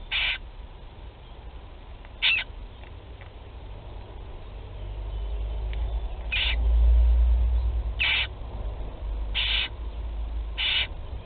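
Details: Barn owl young begging during their first feeding, 8 July 2020, Théding, France: six short hissing bursts spaced one to two seconds apart over a steady low hum.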